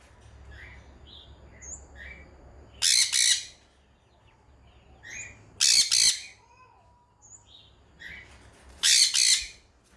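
A sun conure gives loud, harsh screeches about every three seconds, with softer chirps between them.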